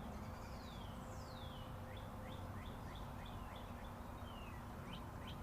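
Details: Tweeting birds outside near Interstate 40: two long slurred downward whistles open, followed by a run of short upswept chirps roughly three per second, all over constant highway traffic rumble.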